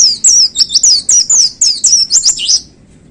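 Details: Songbird known locally as pleci, a white-eye kept in a cage on a contest pole, delivering a rapid "tembakan" burst: about a dozen sharp, high, down-slurred whistles tumbling together over two and a half seconds.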